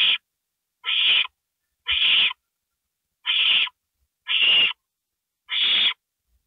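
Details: At 2:05 AM, April 27, 2012, an owl gives six harsh, hissing screeches around a gopher delivery, each lasting about half a second and spaced roughly a second apart, in otherwise quiet surroundings.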